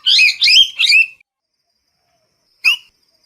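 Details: Three rough, drawn-out parrot screeches run together, followed after a long pause by one short sharp squawk.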